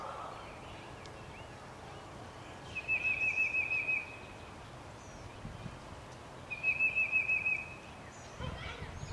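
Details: Blue-gray Gnatcatcher at a nest in Benbrook, Texas, on 5 April 2014, giving two quick bursts of thin, high, buzzy notes, each about a second long and a few seconds apart, over a faint steady hiss.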